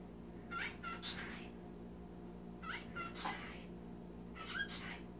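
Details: A pet cockatiel chatters to the household dog in three short, raspy bursts, each opening with a brief clear note.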